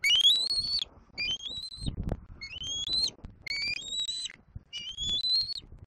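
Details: Juvenile bald eagle in Southwest Florida squeeing at its mother perched in a treetop, afternoon of April 10, 2024: five thin, piercing whistled calls, each rising then holding level, spaced about a second apart.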